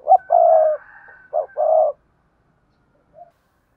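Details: Spotted dove giving a 'gáy thúc gù' or calling coo, the styles kept birds use: a short note then two long, low hooting coos and a final brief note, in a quiet setting.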